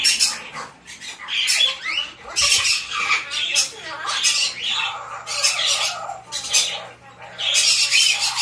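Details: Hand-tame white-bellied parrot chick calling with loud grating squawks and some warbled, buzzy notes, nearly continuous with short pauses, a faint low hum underneath.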